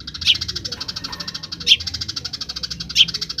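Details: Eurasian tree sparrow in rapid 'grece' chattering song, used as training material for other songbirds: a fast, even stream of high ticking notes, with three louder sharp chirps standing out at roughly one-and-a-half-second spacing.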